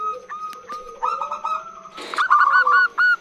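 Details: Female zebra dove calling to lure males. Soft, uneven clipped notes, then a brief noisy burst, followed by louder, evenly spaced short notes with bright overtones, the last ones flat and whistled. A faint constant high tone runs underneath.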